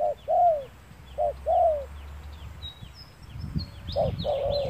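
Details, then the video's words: Spotted dove calling during trapping with a lure bird on a fine sunny day: low mellow coos in a short-then-drawn-out pattern, repeated twice, then again after a pause, with thin high chirps of small birds overhead. "Bẫy Cu Gáy Ngày Nắng Đẹp, Gặp Liền Mấy Kèo"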